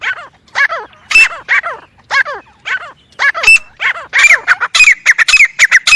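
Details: A grey francolin repeats arching, harmonic call notes about twice a second, then speeds into a faster, denser burst of harsh notes toward the end.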